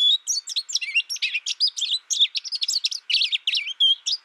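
An American goldfinch gives a rapid, jumbled run of high, twittering notes and bright rising and falling whistles, tumbling along without pause.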